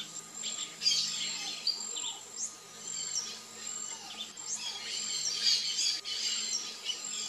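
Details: Variable oriole, a species with alike sexes: bursts of bright, high chirps and quick slurred notes come in uneven phrases over a steady thin whine in the background.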